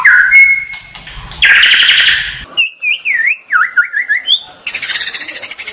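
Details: Training song of the white-rumped shama (murai batu), used for caged birds. It opens with a harsh burst and a noisy rasping section, then moves to wavering whistled slides dipping up and down, and ends with a rapid high pulsing trill.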